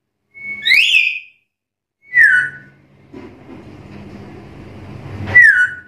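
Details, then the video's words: Black-capped lory calling to challenge rivals: two slurred whistled notes sweeping down, then a long rumbling mechanical noise, then one more loud descending whistle at the end. "Suara burung nuri kepala hitam gacor menantang lawan"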